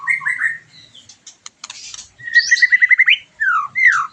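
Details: White-rumped shama, a bird after moulting, singing to be stimulated: varied whistled phrases, a fast run of repeated rising notes near the middle, then clear descending slurred whistles, with brief clicks between.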